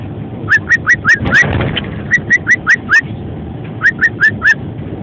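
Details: A male pet cockatiel sings alongside other birds, whistling bright, rising notes in quick runs of four or five, pausing between each burst.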